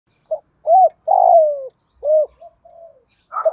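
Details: Spotted dove in the 'thổ đồng' voice style, with urging, cooing and calling phrases used to stir decoy birds. Short hooked coos alternate with a long, loud, falling coo, then soft murmured notes. Quiet background.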